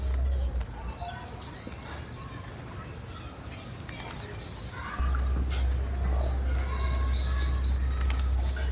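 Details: A female blue-black grassquit gives repeated thin, high, downslurred chirps spaced a second or more apart across the clip, with an intermittent low mechanical hum.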